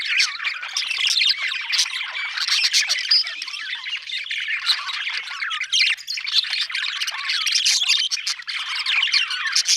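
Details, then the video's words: Budgerigar chattering happily, a loud, continuous buzzy warble of squawks and chirps with short clicks scattered throughout, no other sounds. "happy budgie chirping sound"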